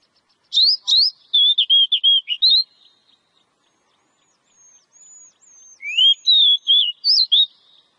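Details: Oriental magpie-robin song used as therapy audio to encourage birds to sing: two bright bursts of varied, sweet whistled notes that rise and fall, separated by a pause with thin, high drawn-out whistles.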